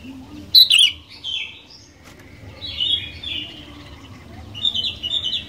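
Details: Sooty-headed bulbul, a vigorous singer used as a lure to make other bulbuls sing: short bright chirpy phrases with a sharp burst near the start and further warbled notes later, over a low steady hum.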